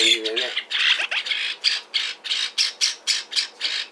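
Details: Lineolated parakeet, hand-tame and seemingly happy, at a Fukuoka pet shop in Japan: a dense scratchy burst followed by evenly spaced raspy chirps, roughly three per second, with a short human voice at the very start.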